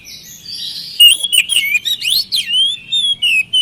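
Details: Oriental magpie-robin song used as a lure to coax quiet birds into singing: after a faint opening second, loud clear whistles and fast chirps come in short bursts with sharp rising and falling notes, then sustained whistled phrases.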